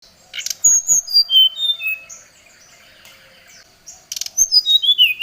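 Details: Oriental magpie-robin singing a lure song to call a rival, agitated: a series of clear whistled notes stepping down from high to lower pitch, a dry rattling burst, a pause, then another descending whistled run.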